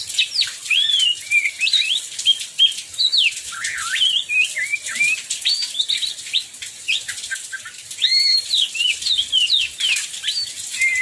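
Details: Oriental magpie-robin in full song during heavy rain, used to trigger singing in other magpie-robins; long varied sequence of loud whistled notes, swoops and chattery phrases with brief pauses, over heavy rain noise.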